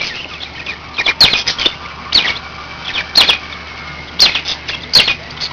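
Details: A group of five pet budgerigars calling: short bright chirps and sharp clicks in bursts roughly once a second, with a faint thin whistle running underneath and a low steady hum in the background.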